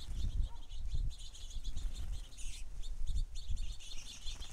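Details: House sparrows in abundance at a feeder: loud, clear chirps repeated in quick bunches, several birds calling at once over a soft low hum.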